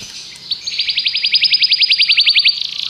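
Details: Common canary song: an even, rapid trill of short repeated notes lasting about two seconds.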